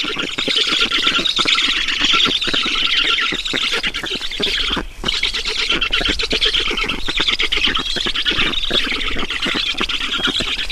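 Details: Feeding time at an Estonian black stork nest, 10 June 2019, 12:52: unbroken grating, raspy squawks stacked tightly together, with one brief dip in loudness near the middle.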